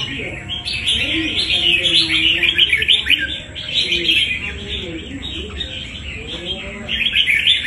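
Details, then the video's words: Fighting red-whiskered bulbul, caught from the wild, delivering fast chattering song of twittering chirps and brief whistles, roughly three notes a second, near-continuous; faint low murmuring beneath. "Bổi đấu quá tố chất"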